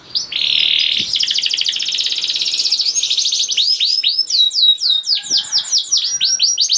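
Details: Canary song for luring silent canaries to sing: a sustained buzzy rattle and rolling trill leading into rapid sweeping whistled notes, with faint background hiss.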